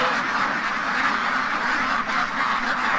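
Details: Many free-range domestic ducks in a pen in Toronto, Ontario, Canada, quacking in a dense, continuous chorus one morning after something spooked them; overlapping raspy quacks blend into a steady clamour with no pauses.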